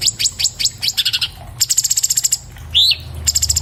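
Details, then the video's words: Fast, clear orange-bellied leafbird song recorded with an iPhone 7+ for cage-bird tutoring: quick sharp downslurred notes, dense high rattles, and a single rising whistled slur. "MASTERAN BURUNG CUCAK CUNGKOK SPEED RAPAT SUARA JERNIH"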